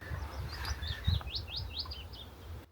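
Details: A willow warbler, an early spring migrant in Hampshire or Dorset, England, sings a soft, sweet phrase of slurred whistled notes cascading downward over about two seconds, over a low rumble of wind, near reeds.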